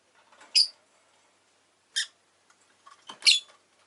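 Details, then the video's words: Three short, piercing, scratchy chirps from a pet rosy-faced lovebird, spaced over a few seconds with quiet between them. "Lovebird Chirping Sounds"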